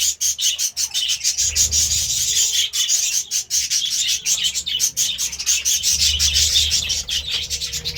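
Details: Budgerigar chirping in the morning, steady rasping high chatter made of quick repeated clicks and warbles throughout, over faint low hum.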